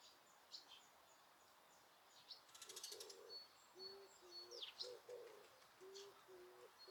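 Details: Birds in Osaka Castle Park, Japan, captured through noise reduction with nobody around; low hollow hooting notes repeat alongside thin high whistles, with a brief rattling flutter early on.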